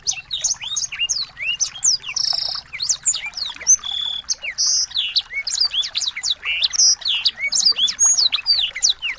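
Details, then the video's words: Chorus of small birds used as tutor song to train a white-rumped shama to sing: dense, fast high chirps, sweeping whistles and buzzy notes overlapping continuously, with brief rattling trills and a steady rhythm of rapid phrases throughout. "masteran burung kecil agar murai batu gacor"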